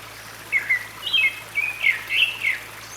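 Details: Grey-backed thrush (Turdus hortulorum) moving about a valley at Sinwonsa Temple, Gyeryongsan Mountain, South Korea, 6 May 2022, sings clear, fluty whistled phrases, rising and falling in quick succession, over running stream water.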